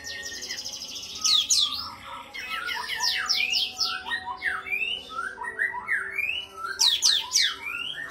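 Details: An Oriental white-eye masteran for songbird training, with a steady high trill opening into quick descending sweeps and a string of rising slurred whistles.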